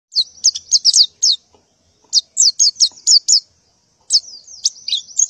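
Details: Female white-eye in breeding condition calling to males in the morning: bursts of high, sharp descending chirps in quick runs, with brief pauses between groups.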